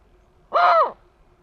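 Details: A bateleur gives one hoarse, arched cry lasting under half a second; it rises briefly, then slides downward, against a quiet background.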